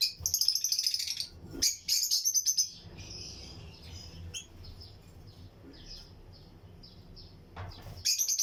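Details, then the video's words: Lutino lovebirds in a breeding colony aviary, pairs in a flight cage alongside other birds; bursts of harsh, high chirps in clusters, then a quieter stretch with scattered faint chirps before another chattering burst. "Lutino Lovebirds Breeding Colony Cage - Chirping and Relaxing Sound"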